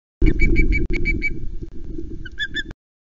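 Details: Osprey at a Loch Arkaig nest on 9 April 2020 at 15:09, as the female flies up with the last fresh fish from the male. Short, whistled chirps are repeated rapidly, masked by a steady low rumble of wind or hum.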